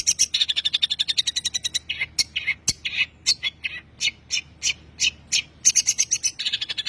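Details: Long-tailed shrike tembakan song used to train songbirds: a fast, even machine-gun rattle of high notes, then spaced harsh buzzy calls and a brief click, closing with another rapid rattle.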